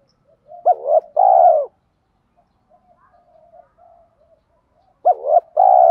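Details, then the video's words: Spotted dove cooing, used to stimulate male and female birds in training; a two-part phrase of a short rising-falling coo followed by a longer steady low coo, repeated after a pause with faint soft notes between. "Tiếng chim cu gáy THÚC GÙ Gáy Gọi"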